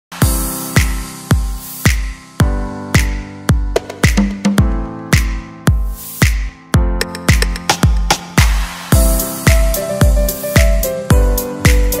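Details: Only a steady, bass-heavy drum-machine beat with layered music is heard, with no bird or other animal voice.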